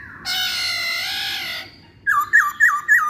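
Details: Masked laughingthrush, a pancingan (lure) recording: a long rich harmonic note held for over a second, a pause, then four loud downslurred whistles repeated about every third of a second.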